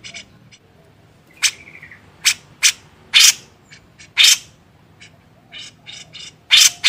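Grey-cheeked Bulbul giving harsh, raspy bursts at an uneven pace, with a brief whistled note early on.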